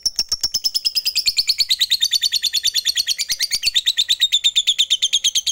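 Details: Fighter lovebird giving a long ngekek chatter that calls rivals and stirs silent lovebirds into song: an unbroken, very fast rattling trill of shrill notes, steady in rhythm, its pitch gliding gradually lower.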